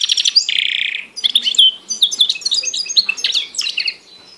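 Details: Goldfinch and canary hybrid singing: a strong buzzy note opens, followed by a quick tumbling series of high twitters, chips and short whistled slurs.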